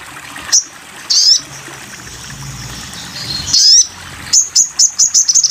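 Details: Sogon bird on a masteran training recording: sharp high chirps spaced apart, then a quick run of short bright notes repeated about every quarter second near the end, over faint low background hum.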